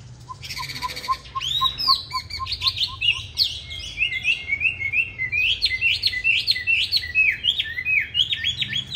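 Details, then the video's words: Chinese hwamei giving a competitive song used to train hwamei to sing softly: a brief series of short, lower piping notes, then a loud, rich run of varied whistled phrases sliding up and down in quick succession. "Họa Mi Mắt Lục Đậu Thanh Hót Đấu ( Dùng luyện Mi hót bài êm không gắt )"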